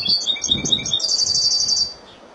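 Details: Spanish European goldfinch in Malaga song style: quick, high twittering notes running into a fast, even, ringing trill that fades after about two seconds.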